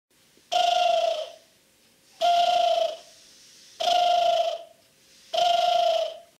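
A European turtle dove gives four low, purring phrases, each under a second long and spaced about every one and a half seconds, over a quiet background.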